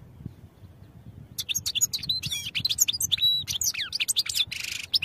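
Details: Fast, lively song of a European goldfinch for training: clipped chirps and quick downslurred whistles tumble together, with a rasping buzzy note near the end.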